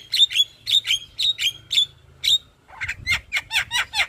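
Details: Javan myna in daytime song before a house, giving a run of sharp whistled notes roughly every quarter second, then a faster series of harsh, buzzy chattering notes.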